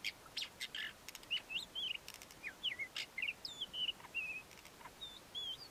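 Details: Male ant-eating chat in courtship song: a rapid jumble of short whistled slurs and wavering notes, some rising, some dropping, interspersed with sharp clicking bursts, fairly continuous delivery over several seconds.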